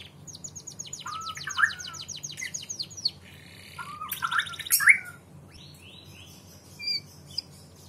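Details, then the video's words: Canary song played as a lure to prompt young canaries to answer and sing energetically: fast buzzy trills sweeping high, broken by lower slurred whistles, then pauses and short high notes, over a faint steady low hum. "PANCINGAN KENARI PAUD NYAUT BUNYI DAN GACOR"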